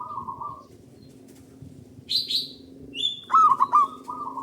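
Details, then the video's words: Zebra dove of a local Indonesian strain, its loud song used to get other doves singing: a soft rolling coo, then high chirps from other birds, then a strong bubbling, stuttered coo phrase trailing into an even trill. "Pancingan Burung Perkutut Lokal Gacor Dor Bersaut Sautan $uara Keras Panjang"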